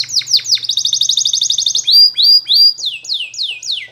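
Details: Training song of a Spanish Timbrado canary: rapid sliding notes give way to a dense, bubbling rolled trill, followed by long level whistles and a series of clear downward-swooping whistles.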